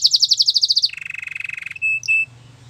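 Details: Canary singing in a domestic setting: a fast series of bright chirps, then a long buzzy trill that steps down to a lower pitch, ending with two short whistled notes.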